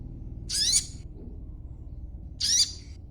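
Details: Young sogon, used as a lure to get other sogon to answer, gives two short, high, harsh chattering bursts about two seconds apart over a quiet low hum.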